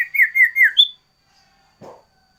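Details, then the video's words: Sooty-headed bulbul (sirtu) variation song, loud and energetic: three quick downslurred whistles ending on a higher sharp note, then a brief low rustling sound. "Suara Burung Sirtu Variasi"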